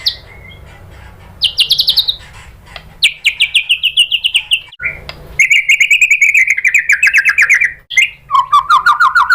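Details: Lure recording of white-rumped shama song meant to provoke a reply: long rapid trills of evenly repeated notes, some high and sliding downward, others lower and steady, separated by brief whistled notes.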